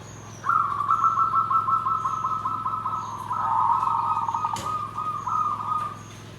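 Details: Perkutut, or zebra dove, delivering its nggandem gedhe garing song: one long rolling trilled coo held for over five seconds, swelling briefly in the middle, interrupted once by a sharp click, with a low steady hum behind.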